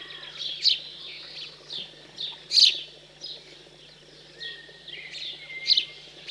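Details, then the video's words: House sparrows feeding young after they leave the nest, rural central France, 15 June 2020; scattered loud chirps with longer pauses and softer chatter, a thin drawn-out whistle behind. "MOINEAUX Domestiques/Nourrissage après l'Envol"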